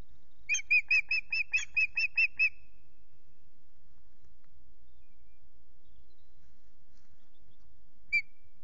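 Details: Female osprey, unringed, at Loch Garten, calling for a mate who does not appear: a burst of nine rapid high whistled chips, a long silence, then a single lone whistle.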